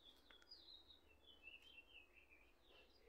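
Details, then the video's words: Swallows at a nest of baby chicks, one parent briefly visiting the nest while the other perches on the wires; a run of thin, high twittering chirps that slide and waver, with faint background noise. "BBs Golondrinas y sus Papis"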